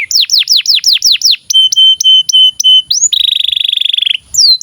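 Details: Canary song used as a master recording to train young and silent canaries to sing: fast descending whistled notes, then steady level whistles, a long rapid trilled buzz and a rising sweep, loud and clean.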